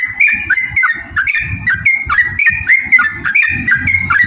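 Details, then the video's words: Fast stream of short, clear, downward-slurred whistles from a lively yellow-vented bulbul, a recording meant to draw other birds into song; the notes come several per second against a continuous low background murmur. "trucukan gacor TARUNG ROPEL PANJANG pancingan trucukan agar bunyi"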